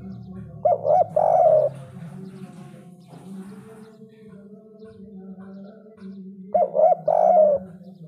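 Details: Sunda collared dove in the 'kuk 3' style with a big voice. Two three-part coo phrases about six seconds apart, short, short, long, over a constant low droning hum and faint voices.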